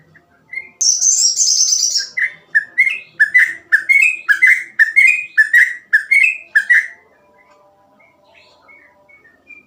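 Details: Sooty-headed bulbul in rapid, busy 'gacor ropel' song: a fast run of short, rich whistled notes that rise and fall, about two per second, with a brief high buzzy chatter near the start, then quiet.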